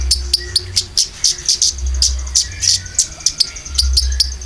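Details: Konin lure song with filler: bright, sharp high chirps repeated briskly, faint thin whistles between, and a deep rhythmic thump throughout.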